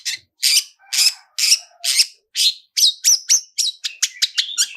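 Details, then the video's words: "Toet toet" lure song of a long-tailed shrike, played to trigger singing: evenly spaced harsh, broad notes give way to quicker thin whistled chips and clipped trills. "SUARA TOET TOET SAMBUNG ISIAN MEWAH DIJAMIN LANGSUNG ON, PANCINGAN CENDET GACOR ISIAN MEWAH"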